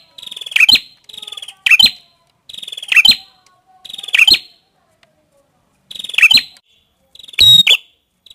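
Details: Prinia known as prenjak kepala merah singing five buzzy-then-chirped high phrases, a pause, then a final harsher, louder, broader note closing the sequence.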